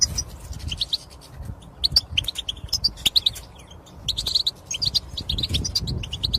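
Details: Goldfinch chirping meant to stir males to sing: scattered bright twitters and trilled phrases, a lull in the middle, then denser chattering over faint low noise.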